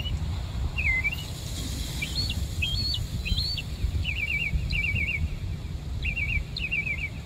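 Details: In Savannah a bird sings thin whistled phrases: a few wavering notes, then quick repeated trill-like bursts in pairs, fairly faint above a steady low environmental rumble.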